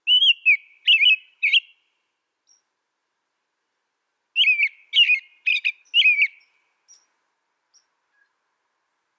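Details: American robin song in two phrases, the first of three or four whistled notes, the second longer with clustered chirpy syllables, quiet background between them.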